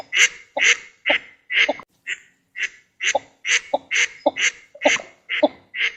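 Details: Northern shoveler ducks producing a rapid series of rasping, nasal calls, about two per second, with a brief pause midway. The recording is quiet otherwise.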